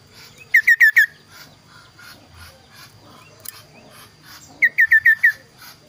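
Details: Kaso-kaso bird with a clear, varied voice: a rapid run of four descending whistled notes, a quiet pause with faint chirps, then another run of five similar notes.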